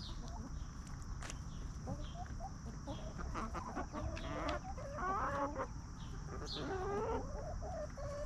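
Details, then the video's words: Free-range hens roam a backyard farm, scratching in the dirt and snacking on treats while clucking peacefully; low, throaty clucks and warbling murmurs build toward the middle, over a steady high hiss and occasional sharp chirps from wild birds. "Chickens Roaming, Snacking & Clucking"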